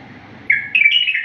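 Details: Bulbul singing in the wild style, a clean, faultless song recording used to teach other bulbuls; after half a second of quiet a bright whistled phrase starts, then steps up into a higher, slightly warbling second part.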